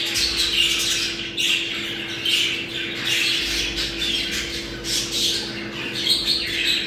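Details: Budgerigars played to bring birds into breeding condition: dense warbling chatter of several birds, scratchy squawks and chirps overlapping continuously, with a steady low electrical hum underneath.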